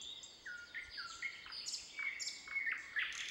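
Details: Wild birds sing in the Voronezh Nature Reserve, Russia: clear, steady and slightly falling whistles mixed with higher overlapping chirps, several notes each second, over a faint background hiss.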